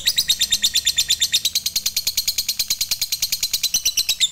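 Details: Fighter lovebird in full ngekek, a long chatter meant to stir other lovebirds into song: fast, piercing, evenly pulsed high notes in an unbroken rattling trill.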